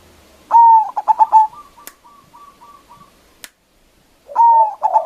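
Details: Local zebra dove with a loud voice, used as a lure to provoke rival doves. A long clear coo with a rapid pulsed tail is followed by a quieter series of short evenly spaced coos and two clicks. A new phrase begins at the end.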